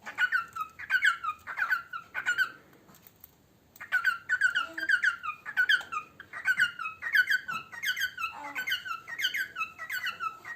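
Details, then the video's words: Parrot kept as a pet sings while it eats, giving bursts of rapid, ringing whistled notes that dip in pitch. A brief silent pause comes early, then the chattering phrases resume steadily. "Chu singing while eating"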